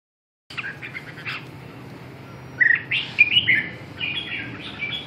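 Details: Red-whiskered bulbul recorded for song training: after half a second of silence, soft chirps, then a louder burst of short warbled and whistled notes near the middle, followed by quieter chattering phrases over a faint background hiss.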